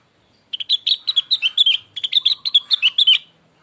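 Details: Lure song of a cucak rengganis, or cucak wilis, meant to make another bird answer: a continuous run of about three seconds of quick, bright, warbled notes, evenly spaced and clear against a quiet background.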